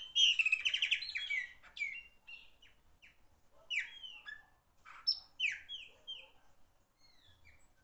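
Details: Loud Chopi blackbird song begins with a rapid buzzy rattle, then continues with a long series of sharp, clipped whistles and slurred notes at varying pitch.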